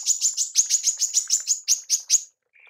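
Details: Female manggar calling, recorded to train songbirds: an unbroken string of about eleven sharp, buzzy high chirps delivered evenly at roughly five per second, ending in a faint lower note.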